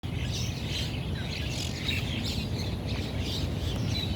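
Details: Monk (Quaker) parakeets at East Coast Park, Singapore, give harsh, grating chatters in quick bursts over a steady low rumble of wind or distant traffic.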